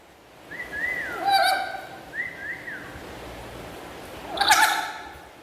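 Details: Pet black-capped lory chattering loudly and sweetly: two clear whistled phrases that rise and fall, each repeated, followed by a brief harsh squawk-like burst.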